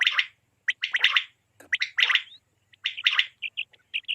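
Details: Quail calls, apparently for hunting and netting, KPK, Pakistan: clusters of short, rasping notes about once a second, each a quick burst of two or three syllables, then brief clipped high notes near the end.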